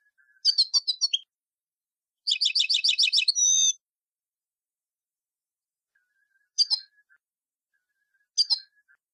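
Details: A Tunisian goldfinch sings in the old tarqa style: a brief twittering phrase, then a longer rapid pulsing trill ending in warbled notes, followed by two isolated short chirps.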